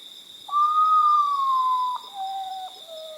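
Common Potoo: a long, mournful whistled note that rises slightly then slides down, followed by two lower falling notes, a sobbing descending phrase; steady insect hum behind.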